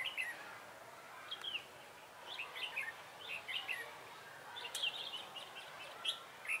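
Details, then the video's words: Red-whiskered bulbul used as a decoy to lure wild birds for trapping, recorded 3 November 2017; short warbled, slurred phrases in bursts, some brighter notes, with steady background hiss. "Bẫy chào mào Cánh đuôi liên hoàn"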